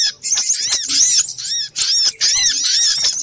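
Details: Little spiderhunter calling frantically in a lure recording; high squeaky arched notes and thin whistles pour out in dense runs broken by two brief silences.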